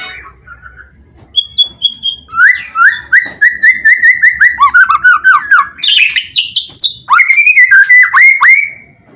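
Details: White-rumped shama song used to provoke other shamas into singing: short whistles, then a sustained stream of fast repeated whistled notes, rising trills and sharp chattering phrases.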